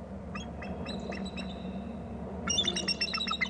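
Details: Bald eagle at its nest territory on Hornby Island, recorded by a nest camera: thin, high piping notes in a chattering series, louder toward the end, over steady low hum and rumble.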